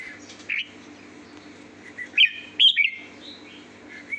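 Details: Sweet-voiced song of a red-whiskered bulbul, with clear whistled phrases of two to three quick notes, the loudest pair near the middle, against a faint constant hum.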